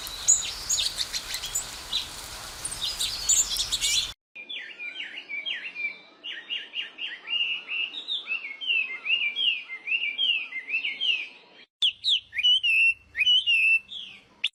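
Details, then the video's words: Sparrows chirping while eating food and drinking water: a dense run of short, rapid chirps and twittering notes, some downslurred, others rising, repeated many times a second, after an opening stretch of high, hissy, crowded chatter. "Sparrow Chirping Sound, Sparrow Eating Food, Sparrow Drinking Water"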